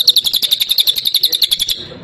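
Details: A lively Cililin in full 'tembakan' song: a quick run of bright, high, clipped notes repeated at a steady brisk pace for under two seconds, then breaking off abruptly.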